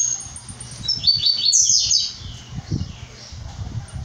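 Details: Tiziu pardo, a brown-plumaged blue-black grassquit, delivers one high buzzy phrase of rapid slurred notes after a few faint thin pips, with steady low hum and soft tapping sounds throughout.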